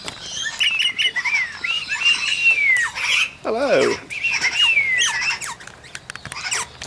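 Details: Major Mitchell's cockatoo dancing at Junee Tourist Park, Australia, 5 June 2015, with an eastern rosella joining in; harsh, quavering falling screeches, broken midway by a lower squawking burst.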